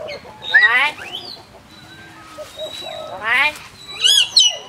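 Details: ['Talking common hill myna in Phnom Tamao Zoo, Cambodia, gives rich, voice-like harmonic phrases. A rising, speech-like burst is followed by shorter nasal notes, another similar burst and a wavering high squeal.']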